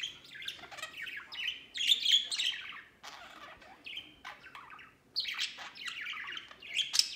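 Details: Pet budgerigars playing and flying outside their cage; continuous bright chirping warble of quick rising and falling notes in bursts, pausing briefly near the middle before resuming.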